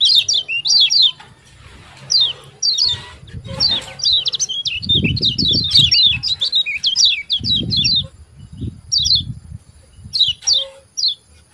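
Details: Yellow white-eye ciak ciak calls for provoking caged birds to sing: rapid high falling chirps in irregular runs and clusters, with low rumbling noise in the background.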